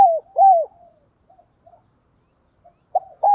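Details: Decoy spotted dove with a 'thổ' style voice, cooing to provoke wild rivals: two short, mellow, downward-bending coos, a long quiet pause with faint soft notes, then a further pair of coos at the end.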